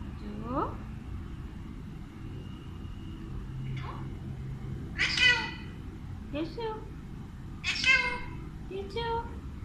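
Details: Captive Alexandrine parrot giving talking greetings such as 'Kesy Ho' and 'Assalam o Alaikum' in Urdu/Hindi; harsh, harmonic-rich spoken-sounding bursts, loudest near the middle and end, with thinner rising squeaks between and a low room hum beneath.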